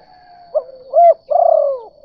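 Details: Spotted dove lure call, kuk 2 type, meant to draw other doves: a short coo, a rounded higher note, then a long vibrating croo that slides downward, over a faint steady tone.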